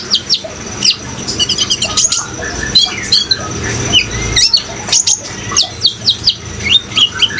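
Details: Lively kolibri ninja (sunbird) singing to stir other kept birds into song: rapid, high, sharp chirps and short twittering notes in uneven bursts, with a continuous background of flowing water.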